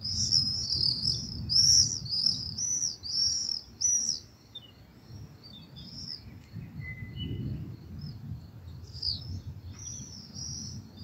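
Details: Common swifts in a town in June, at the end of the day as they come down near the ground before returning to their nests, give shrill, buzzy screams in a quick rush, then fainter distant screeches over a low rumble.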